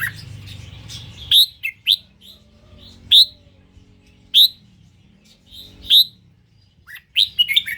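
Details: Red-whiskered bulbul of the Indonesian strain calling with sharp, bright chirps spaced a second or more apart, a brief warbled flourish at the end, after low rumbling at the start.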